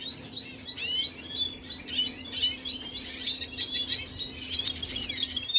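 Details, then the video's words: Venezuelan red siskin singing, recorded 25 June 2022: a continuous, rapid twittering of high chirps, trills and short slurred notes, full and fast throughout, over a faint steady low hum. "خوێندنی سیسکنی سوری فەنزوێلی"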